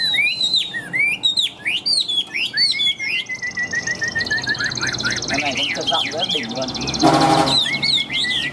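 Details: Tame caged Chinese hwamei sings rapid, ringing whistled notes, many steep upward and downward slurs, with a buzzy noise burst partway through and brief harsh noise; the bird resumes with bright repeated whistles.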